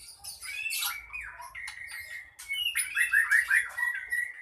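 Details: Aggressive song of a contest ekor pendek bird that goads other birds to fight: rapid chattering and scratchy notes, then a run of bright rising whistles and a long steady whistled note.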